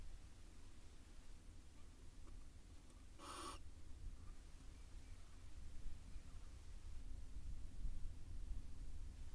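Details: Wild barn owl pair courting inside a nest box in Israel. A single short, harsh, hissing screech breaks a low, steady background hum.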